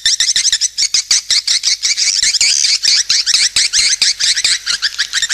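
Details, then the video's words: Lure call of swiftlets: dense, evenly spaced short chirps, many per second, sharp and high, forming a steady chattering pulse. "SUARA PANGGIL BURUNG WALET"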